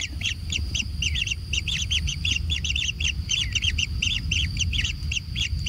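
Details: Kingfisher nestlings at a natural nest calling in clustered, quick, arched squeaky chirps, often in pairs or triplets, repeated rapidly over a low rumbling background.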